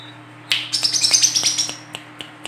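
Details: Female olive-backed sunbird lure bird gives a buzzy, high, rapid trill lasting about a second, followed by spaced sharp ticks, with low steady hum throughout.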